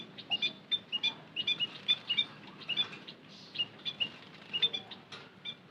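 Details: Lure calls of the white-headed munia: a steady series of brief, thin, high chirps, often paired, repeated several times per second throughout against a faint low background hiss.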